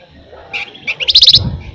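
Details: Flamboyan, a lively songbird said to trill tirelessly: a couple of soft high notes, then a rapid, bright, tinkling run of about six sharp notes.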